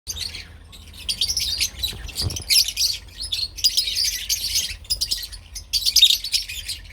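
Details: Lovebirds (Agapornis) of parblue and opline colour types giving dense, shrill, high chattering, in bursts that swell and fade over about seven seconds, with a low rumble underneath.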